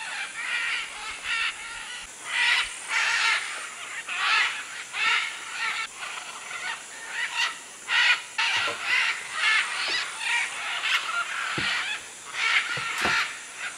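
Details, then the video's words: Large gathering of macaws and other birds at a jungle clay lick in Manu, Peru, 2008; continuous overlapping raucous screeches and rasping squawks, pulsing roughly every second throughout, with a few faint low knocks. "Macaw clay lick"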